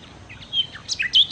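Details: Short Nightingale phrase: a soft whistle, then loud, sharp, high chirps and a rising, ringing note in quick succession.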